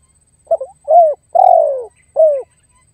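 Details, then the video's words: Spotted dove calling to lure and challenge a rival: a clipped double note, a drawn-out coo that slides downward, then a shorter falling coo, all low and mellow, in quiet surroundings. "SUARA TEKUKUR MEMANGGIL DAN MENEKAN LAWAN"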